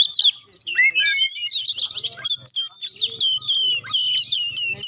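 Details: An Oriental magpie-robin gives an intense, varied song, used to spur a reluctant bird into singing. Whistled slurs open it, then rapid sharp chip notes repeat in bursts with brief gaps.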